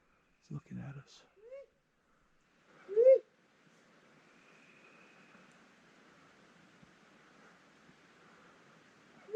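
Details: A great grey owl (Strix nebulosa) on an April 25 night in deep snow, one of two calling nearby, gives one loud, rising whoop preceded by a fainter one, after quiet speech; soft hiss follows.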